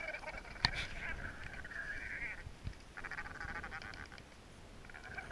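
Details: Tristan albatrosses on Gough Island calling during their courtship dance display, with three birds involved: drawn-out braying calls with a nasal, harmonic tone and a few sharp clicks, over steady wind noise.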